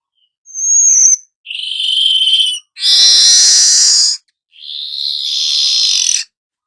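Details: Weaver in gacor nyerut style giving four long drawn-out notes: a thin whistle, a nasal buzzy tone, a loud broad harsh hiss, then another wheezy buzz, separated by short pauses.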